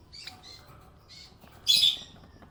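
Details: Budgerigar called happy, making soft warbling chirps that end in one loud, shrill, raspy chirp.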